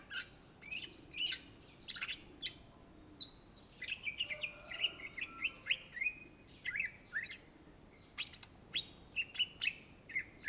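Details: Greater green leafbird, cucak ijo, in fluent song: strings of bright whistled and slurred notes around two to four kilohertz, delivered in quick rhythmic bursts, a few very high sharp notes mixed in.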